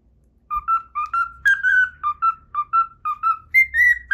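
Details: Pet cockatiel whistling a learned tune, the Pythagora Switch opening theme, as clear tonal notes with harmonics in short repeated phrases, each note slurring slightly upward, about three notes per second.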